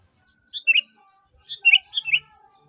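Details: Sooty-headed bulbul call used to lure other bulbuls: two brief bouts of a few liquid chirps, fairly soft, with faint steady hum tones behind.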